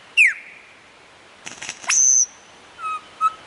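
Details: Lyrebird mimicking other sounds to attract females: a sharp falling whistle, a burst of harsh noisy clatter, then a high, thin sustained whistle and two lower flat tones.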